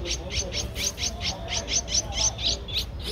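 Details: Young Streak-eared Bulbul aged 13 days, Ubon Ratchathani, Thailand, 15 April 2023: brisk sequence of sharp high chirps, roughly four per second, steady and insistent against low background hum.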